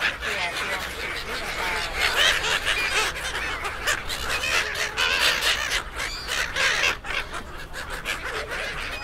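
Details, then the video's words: A huge flock of gulls crowding the Suk Ta Bridge pier near Bangkok, Thailand, where people feed them: a constant wall of overlapping shrill, squabbling cries mixed with the bustle of people. "1000 Seagulls Crowds"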